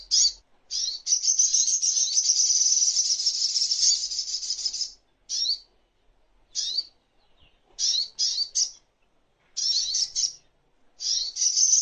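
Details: Sogok ontong, or crimson sunbird, in a songbird training master recording: a long, high, shimmering trill lasting about four seconds, followed by scattered chirps and short trill fragments.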